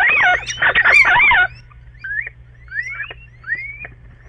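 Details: Two little owls calling in a bedroom nest box on 29 March 2013; a burst of loud harsh wavering squeals, then softer rising whistled mews spaced about half a second apart, over a low hum.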